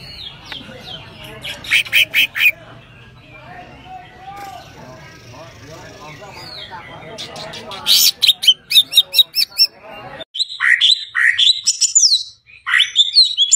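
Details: Common iora, locally cak ijo, in isian song: clusters of rapid high chips, a soft warbled middle passage, then dense buzzy trills and downslurred whistles delivered in fast bursts.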